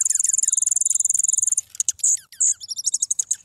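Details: Grey-headed junco singing: a fast, even, high trill of rapid notes for about a second and a half, followed by scattered sharp downslurred chips and short buzzy bursts.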